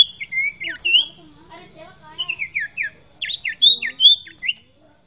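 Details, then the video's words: Singing common iora (sirtu), a lively series of sharp, downslurred whistles repeated in quick clusters, with a person talking softly in the background. "Burung Sirtu/Cipoh Fighter Gacor, Masteran Burung Sirtu"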